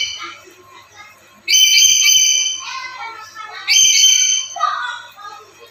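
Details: Black-capped lory kept as a daily master recording to lure other lories: two loud, harsh, buzzy screeches about two seconds apart, each drawn out over a second, with softer chattering notes after each.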